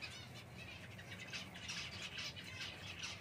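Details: Java sparrow chirps: soft, high, clipped notes repeated in an uneven series over low background rumble.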